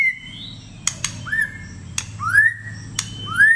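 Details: White-rumped shama in competitive singing, many voices: clear upslurred whistles about once per second, each with a thin higher overtone, separated by sharp clicks.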